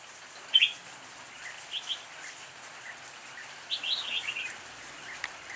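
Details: Red-whiskered bulbul in improvised song: two short bursts of bright, warbled notes, one early and a longer chattering phrase near the end, over a steady hiss of background noise.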